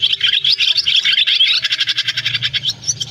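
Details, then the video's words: Roost call of swiftlets used to draw birds into nets in August: high chirps with thin whistled slides at first, then even pulsed twittering, roughly two notes per second, fading toward the end with a low hum. "Tiếng ÉN ĐEN , Én bụng trắng , nhạn gọi ru ngủ"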